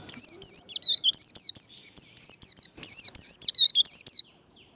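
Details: Warbling white-eye fired up to deliver 'líu đấu' fighting song. An unbroken string of high, squeaky wavering notes, roughly three per second, runs for over four seconds with one short pause midway.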